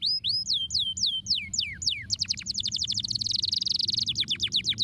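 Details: Canary singing to stimulate other birds: a series of descending slurred whistles about four per second, then a fast dense buzzy trill of high chirps, low hum underneath.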